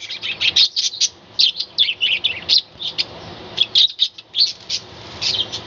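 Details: Budgerigar colony kept in a small balcony aviary, chattering in the morning: dense, overlapping high chirps and warbles, almost nonstop bursts with brief pauses throughout.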